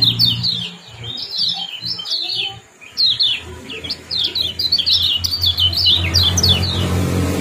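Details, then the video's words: Lemon-bellied white-eye in loud ciak-ciak and jos chatter, used to bring birds into breeding condition and to tutor cage birds: rapid high chirpy downslurred notes in dense runs, with a low hum underneath growing louder toward the end. "Kombinasi ciak jos spesial pancingan kecial kuning"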